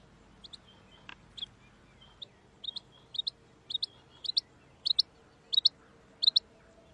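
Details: Calls of a female rain quail: crisp, high two-note chips, repeated steadily about every half second and gradually getting louder. There is a soft knock near the start over a quiet, low background hiss.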